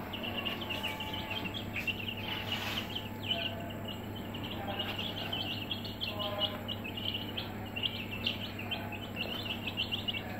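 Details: Aseel chicks in a brooder, a flock peeping steadily with short high chirps overlapping throughout, over a constant low electrical hum.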